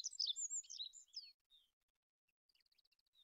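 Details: Olive-backed pipit singing a quick burst of high, thin, tumbling twitters that stops abruptly, followed by a faint sparse series of tiny ticking notes.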